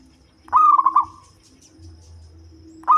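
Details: Local zebra dove with a low, bass voice, suited for luring: one rapid, rippling trilled coo lasting about half a second, a quiet pause, then the start of the next phrase.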